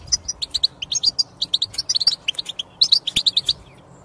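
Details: European goldfinch song meant to encourage a silent goldfinch to sing: a clear run of sharp, high tinkling chirps and short twitters, delivered in quick clusters separated by brief pauses.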